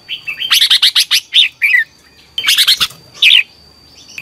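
A red-whiskered bulbul gives two bursts of quick, bright chirping notes, bubbly and loud, with a short slurred phrase after each and a faint steady high tone behind.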